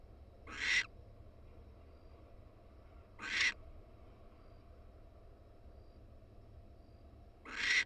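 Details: A nesting wild female barn owl on a University of Florida nest camera in Florida, during egg laying. Three short, rasping, hissy screeches are spaced about three to four seconds apart, with a low rumbling background.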